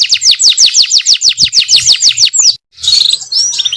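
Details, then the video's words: Canary singing in the vigorous rolling and shooting style called kenari gacor ngerol nembak: a fast, even trill of high, sharp, downward-slurred notes repeated about seven times a second, then a brief pause and a burst of bright varied twitters. "KENARI GACOR NGEROL NEMBAK | CANARY SINGING"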